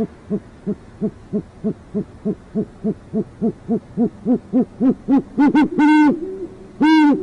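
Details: Great horned owls, a nesting parent pair in urban northwest Oklahoma City. A long run of soft, quick hoots at about three a second grows louder and rises slightly, ending in a few deep, drawn-out hoots.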